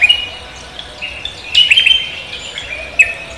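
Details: Morning song of a lively cucak kombo: a few high whistled notes, then a dense burst of warbling, twittering phrases, ending with a single sharp chirp, other birds faint behind.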